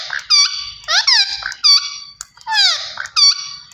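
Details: Green ringneck parrot uttering a rapid series of sharp, metallic squawks, several sweeping sharply downward, delivered in two bursts with brief pauses inside a quiet room.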